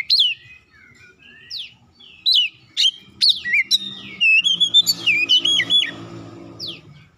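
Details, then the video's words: ['Oriental magpie-robin song used as a lure to make other magpie-robins sing: scattered sharp whistled slurs, then a lively chattering run of quick warbled notes over a soft low hum, ending with one lone upswept whistle.'] "KACER LAIN LANGSUNG RESPON GACOR SEKALI PANCING"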